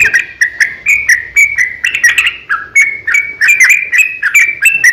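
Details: Sooty-headed bulbul fighting song in the rapid, extended ropel style, played as a lure so other bulbuls respond. Clear, slightly whistled chirps come in a steady chain, stepping between two pitch levels, over a quiet background.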